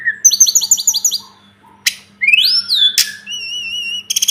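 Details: Sunda robin (tledekan gunung) in a tutor recording for training birds: a fast series of about nine high stuttered notes. A sharp click follows, then a rising slurred whistle, a wavering pure whistle and a short rapid trill, over a low hum.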